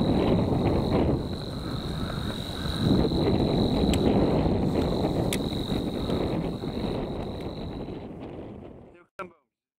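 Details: Savi's warbler, a shy bird, recorded at the Groene Jonker: a continuous even reeling buzz holds for about eight seconds over heavy wind rumble, then stops before a sharp knock at the end.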